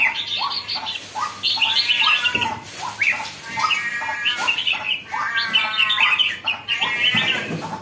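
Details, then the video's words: Lively red-whiskered bulbul singing continuous phrases of upslurred notes and harmonic-rich warbles, some notes sounding slightly nasal, with faint knocks in the background. "sora burung jambul baru nak galak"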